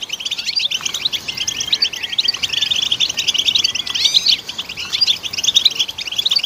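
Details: European goldfinch song played to stimulate goldfinches: a rapid, continuous high twittering of tinkling and chirping notes with short buzzy slurs, unbroken for the whole stretch, no other clear sounds.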